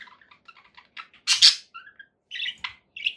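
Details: Conure parakeet making quiet chattering notes, then a sudden loud harsh squawk, followed by a few clear whistled chirps and buzzy calls.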